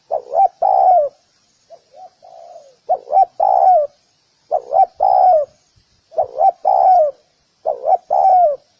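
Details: Spotted dove cooing in a regular rhythm, each phrase two short rising hoots then a long down-slurred coo, with a quieter subdued phrase early on.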